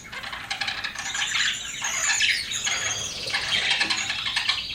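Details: Several pet budgerigars chattering continuously, a dense warbling mix of scratchy twitters and high squeaks with no pauses.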